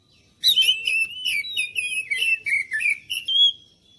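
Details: Oriental magpie-robin singing as a lure for other birds: a rapid flowing string of whistled and slurred notes that gradually drops in pitch, closing on a long steady high whistle.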